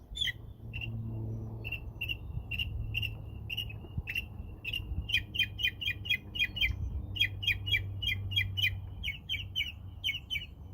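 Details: A mockingbird in crepe myrtle trees in spring gives a long, lively run of squawky, harmonically rich chips. They start spaced out, then speed into rapid bursts of several notes each, over a soft low rumble.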